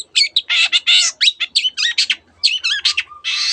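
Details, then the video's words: Continuous chattering medley from a long-tailed shrike mimicking canary and many other birds: harsh buzzes, wavering whistles and quick chips run together with hardly a break, closing on a long rasping note. "cendet gacor nembak nembak rapat isian kenari dan banyak jenis burung yang masuk masteran"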